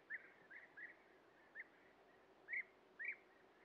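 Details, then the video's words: European bee-eaters at a breeding colony while feeding young at the nest burrow; soft, short rolling trilled calls repeated irregularly, some faint and distant, two louder near the end, against quiet outdoor background. "Bienenfresser (Merops apiaster)"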